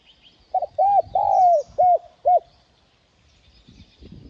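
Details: Spotted dove giving a cooing phrase meant to provoke wild birds: a quick stuttered note, then five hoarse arched coos, the middle one drawn out and falling, followed by quiet rustling.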